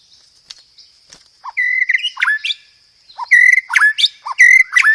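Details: White-rumped shama song, loud and clear, used to test or tutor other shamas, with mimicked fighting-sparrow material: low chips and steady whistles, then a rapid run of sharp, harmonically rich notes.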